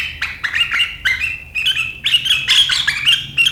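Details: Sharp riwikan song of a sooty-headed bulbul from 7 April 2023: short bursts of harsh, high chattering that grow denser and louder across the few seconds.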